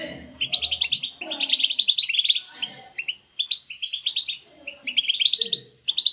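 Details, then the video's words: Captive European goldfinches singing to stimulate other goldfinches: rapid bright twittering phrases of tinkling, buzzy notes in bursts with short pauses, overlapping voices, faint low chatter beneath. "STIMULATION SINGING for GOLDFINCHES"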